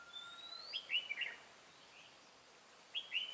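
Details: Red-whiskered bulbul at a trapping site on 18 March 2017, where a decoy lures wild birds. Two bursts of quick, bubbly warbled phrases are separated by a quiet pause, over a faint high whistle.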